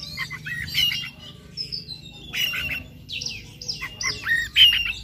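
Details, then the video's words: White-rumped shama morning song, played to provoke another shama into persistent singing: varied loud whistles, slurred descending notes and harsh squawky phrases over a low background rumble. "PANCINGAN KACER PAGI HARI AGAR NGOTOT NGEPLAY BONGKAR ISIAN"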